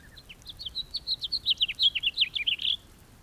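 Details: House finch delivering an energetic warbled song. Two soft lower notes open into a fast run of bright chirps that rise and fall, capped by a buzzy final note.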